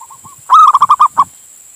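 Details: Male local zebra dove of Indonesia calling its mate, used to lure others: a few soft introductory coos, then one loud phrase of a sustained note and five to six quick pulsed notes, with a faint low rumble underneath.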